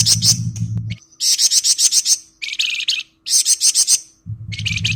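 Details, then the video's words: Flamboyan singing gacor ngebren style: loud, rapid bursts of shrill, chattering high notes in packed clusters with short silent gaps, plus a low hum at the start and end. "Burung Flamboyan Gacor Ngebren full"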